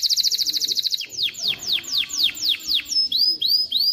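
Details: Canary song to teach chicks and encourage females to mate: a quick rattling roll, then slow repeated falling whistled notes, followed by several rising upslurred whistles.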